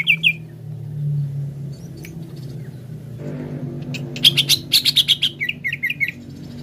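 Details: Greater green leafbird lure song to get a bird singing: two opening notes, several seconds of low murmur, then a dense burst of sharp high chips ending in quick looping whistles.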